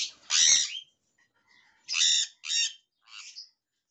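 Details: A Jenday conure in an aviary, recorded 1 November 2021, gives four harsh, raspy screeches, loud and broad-toned: the first is longest, then three shorter ones follow about half a second apart.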